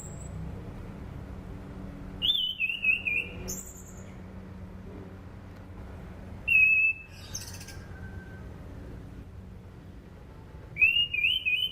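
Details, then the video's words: Orange-banded thrush whistling, recorded as a training lure: three separate bursts of rapid falling whistled notes spaced several seconds apart, with steady low hum between them. "SUARA ASLI ANIS CENDANA"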